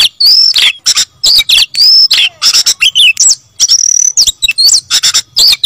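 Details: Oriental magpie-robin in full, insistent song: clear high whistled notes, some held level and some swept upward, mixed with crisp clicks and quick chattering bursts in close succession.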